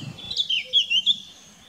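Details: Eurasian blackcap singing: a short, loud phrase of clear warbling notes that rise and fall, with brief fluting slurs toward the end, against a quiet background.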